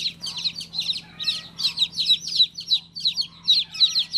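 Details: Loud, clear peeps from a baby chick, each a quick high downward slur, delivered in pairs and short runs about three per second.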